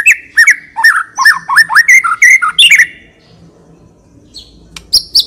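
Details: Murai batu, or white-rumped shama, a select constant singer for lure use: about three seconds of loud, hooked whistled notes in quick succession, then near silence broken by a few faint high notes.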